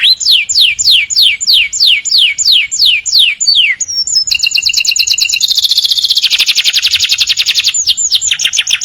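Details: Canary morning song with a steady series of falling whistled sweeps about twice a second, then a long fast rolling trill with a lower tone underneath, ending with slurred whistles.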